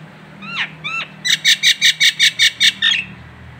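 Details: Nias hill myna from Indonesia, recorded as a local tutor track: two rising whistled notes, then a quick series of eight harsh, even, ringing pulses over a low background hum.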